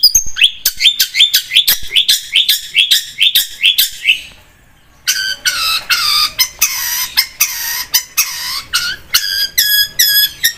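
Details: Long-tailed shrike (cendet) singing vigorously: a run of repeated rhythmic chirps, a short pause, then loud harsh broad notes repeated in steady succession and some high whistles.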